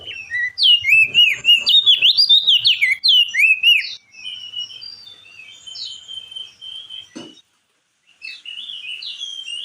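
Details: Crested white-eye in loud ngeplong chatter, meant to stir a stressed, silent bird into song: a fast run of swooping whistled notes for four seconds, then softer scattered phrases, a sharp knock and a short gap.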